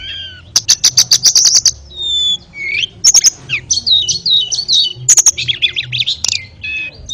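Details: A master song of the ashy tailorbird for canaries and magpie-robins opens with a rapid series of about ten sharp clicking notes, then varied high whistles, slurs and choppy chirps in short, lively phrases.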